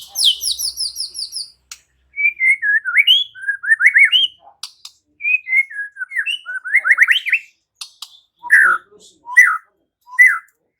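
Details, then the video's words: Murai batu (white-rumped shama) pouring out varied song: high buzzy notes, then twisting rising and falling whistled phrases in quick bursts, followed by scattered sharp chips and separate ringing notes. "Seketika murai batu NYAUT GACOR dan BONGKAR Muatan dengan Kicau murai ini"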